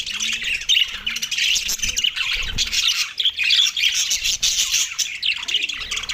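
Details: Australian budgies chirping while eating soft food, recorded December 4, 2023: a dense, continuous flock chatter of scratchy, buzzy chirps and warbles, with a few soft low tonal notes underneath.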